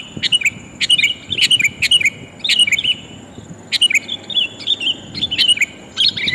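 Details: Sooty-headed bulbul female calling a male, used to lure hard-to-catch birds: short clusters of sharp chirps and twittered notes about every half second, broken by brief pauses, over faint background hiss.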